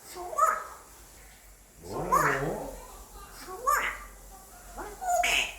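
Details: A male African grey parrot, aged five and kept indoors, attempts English: four spaced talking phrases with clear whistled inflections, about one every second and a half.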